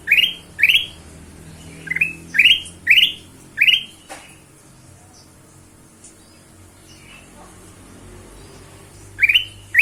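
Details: Ruby-throated bulbul sounds played as a lure for other birds: a run of short upward-sweeping whistles repeated roughly twice a second, a long pause with faint clicks, then two more notes at the end.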